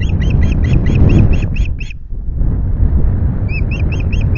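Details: Osprey at its Loch Garten nest during an afternoon fish delivery, 25 July: a fast run of high, clipped piping calls, a brief pause, then the piping resumes, all over loud wind rumble.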